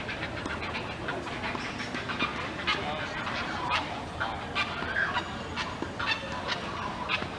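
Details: Three great blue heron chicks begging at the nest as their mother feeds them: harsh, rapid clattering chatter in uneven bursts over a steady background rumble.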